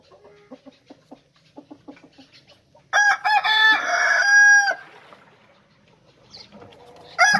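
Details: Rooster crowing: a loud, harmonic crow of about two seconds that begins abruptly, holds steady, then drops away. Soft clucks come before it and a brief start of another call comes at the end.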